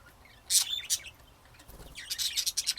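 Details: Budgerigars in Texas, USA, producing a couple of sharp high chirps followed by a rapid run of bright, clipped chattering notes.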